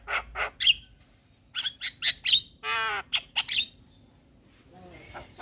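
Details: Black-winged starling in full song, a caged bird in lively form: harsh squawks and clicks mixed with short whistled notes and one buzzy harmonic rattle, delivered in quick bursts with brief pauses.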